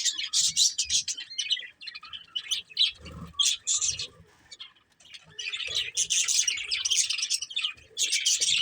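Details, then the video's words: Budgerigars in a family flock chirp in bright clustered bursts, falling quiet for about a second in the middle before the lively warbling chatter resumes more strongly. "Cute Budgies Chirping Sounds"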